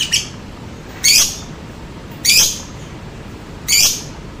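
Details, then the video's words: Lovebird lure call to make other lovebirds answer: four loud, sharp, harsh squawks, each short and spaced over a second apart, with quiet between. "Suara Pancingan Lovebird Ngetik, Ngekek, Tarikan Panjang Bikin Lovebird Anda Ikutan Nyaut Seketika"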